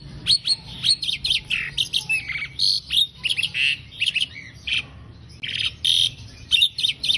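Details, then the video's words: Asian pied starling chatter used as training song for songbirds: a rapid, varied medley of chattering, squeaky and whistled notes, mostly high-pitched, in quick bursts with brief pauses. "Masteran Jalak Suren"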